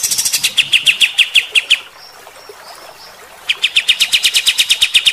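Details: Vigorous kapas tembak (white-shouldered triller) shooting song: a quick series of sharp, slightly downslurred notes, a silent gap of about a second and a half, then another rapid evenly paced volley.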